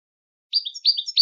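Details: European goldfinch uttering a quick sequence of high, slurred tinkling notes after a moment of silence, several sweeping chirps run together.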